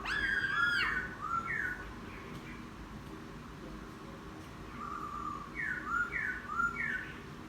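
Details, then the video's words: Newly caught laughingthrush in a cage, taken outdoors and singing its chattering song: a burst of rich whistles, a quiet gap, then a set of repeated downward-slurred whistled notes. "Khướu bổi hót gió ( chuyện kích bổi hót cực sung"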